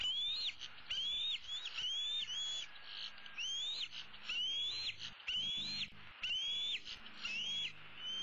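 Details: Older female bald eagle eaglet, 15 April 2016, perched in a tree, begging her parents for supper: a rapid, insistent string of piercing rising whistles, nearly one per second, loud and clear over low background hiss.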